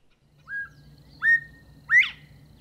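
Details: Northern Bobwhite at daybreak in the pine-covered Red Hills near Tallahassee, giving its clear whistled 'bob-bob-WHITE', two level notes and a final note sweeping sharply upward, over faint low hum.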